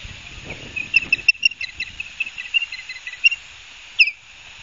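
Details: At an osprey pair's nest at Barnegat Light, New Jersey, on 9 September 2022 around 10:12, an osprey gives a quick run of short, high whistled chirps, about six or seven a second, ending in one sharp downslurred note, with faint low rumbling underneath.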